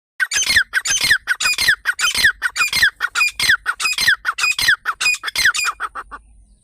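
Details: Grey francolin (teetar) calling loudly: a fast run of harsh, squawky notes, each with a falling slurred tail, repeated almost twice a second for about six seconds without pause.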